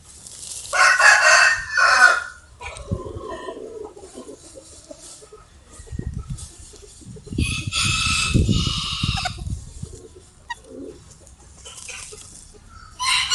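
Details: Rooster crowing at dawn, a wake-up crow: two loud harsh crows about six seconds apart, with softer clucking, low rumbling background noise and another crow starting at the end.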